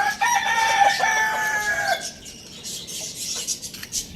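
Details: Pet Lohmann Brown rooster at Lalukhet bird market crows loudly in the morning: one long harmonic cock-a-doodle-doo lasting about two seconds. Budgies chatter and chirp in the background.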